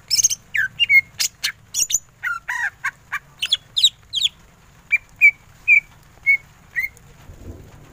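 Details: Greater green leafbird singing vigorously in ngentrok style. A rapid mix of harsh chips and whistles is followed by a slower series of five evenly spaced, clear whistled notes.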